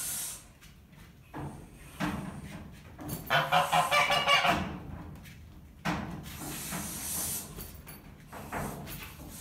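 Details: Barn geese objecting to a ferret playpen and trying to bite the ferrets through mesh; a brief cluster of hoarse honks midway, with quieter rustling and bumps around it.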